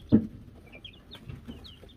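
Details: Young Wyandotte chickens of silver laced, gold laced and gold laced blue varieties with a bell, May 2022: a sharp knock opens, followed by scattered thin, high cheeps at irregular intervals over quiet background.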